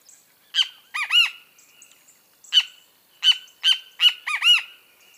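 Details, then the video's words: Great kiskadee phrases: a quick pair of notes closing on a swelling arched syllable, then a longer series of sharp notes and arches after a brief gap. "O CANTO DO BEM-TE-VI (Pitangus sulphuratus)"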